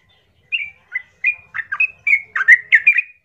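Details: Yellow-vented bulbul giving rough, energetic provoking song: spaced chirpy whistles that quicken into harsher, squawky, bubbling phrases toward the end.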